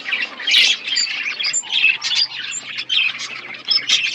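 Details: Budgerigar colony in an aviary setup, many birds chirping together: dense overlapping squawks and warbled chirps in bursts about every half second, high and scratchy, with no other sounds.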